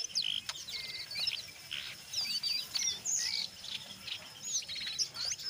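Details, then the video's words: Brown jongkangan singing gacor, ngeriwik mixed with ngeplong, meant to lure other jongkangan into song: varied high twittering, quick up-and-down slurred whistles and short buzzy bursts, steady and unhurried, over a faint low background hum. "SUARA BURUNG JONGKANGAN COKLAT NGERIWIK GACOR"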